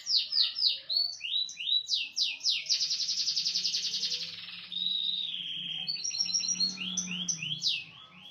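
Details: Small standard canary song with cililin variation, mixing quick falling whistled slurs, a dense rolling trill, a steady whistled note, and further descending chirps, over a faint low hum.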